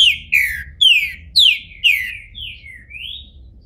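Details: Captive green-winged saltator in Brazil, bald and coming out of moult, sings loud clear whistles, each sliding downward, about seven phrases in under four seconds, ending with a lower upward-sweeping whistle.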